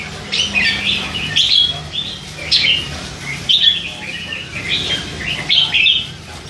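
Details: Hand-reared three-month-old red-whiskered bulbul chattering in its cage with bits of song; lively warbled phrases of slurred whistles repeated every second or so, quiet hum underneath.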